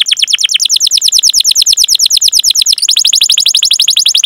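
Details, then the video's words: Chatty canary singing long cuit-cuit rolls as a training lure for other canaries: an unbroken rapid roll of downswept high notes, briefly shifting near the end into a tighter, faster roll. "Masteran Suara Burung Kenari Gacor Panjang cuit cuit Ngerol untuk Pancingan Kenari!"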